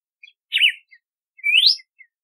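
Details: Red-cowled cardinal giving two clear whistles, a wavering slurred note and then a long rising sweep, with soft faint chips around them.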